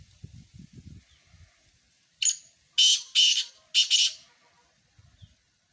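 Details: Black francolin delivering a rasping, grating phrase of four or five harsh notes, the middle ones paired, in a quiet setting with faint low thumps before and after.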